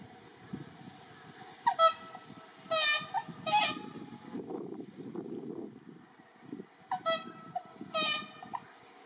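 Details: Captive Whooper Swans calling in a park at Iwanuma, Miyagi, Japan, on 1 March, trying to attract six wild swans; loud nasal honking notes in short groups with pauses, murmuring voices and background hum between.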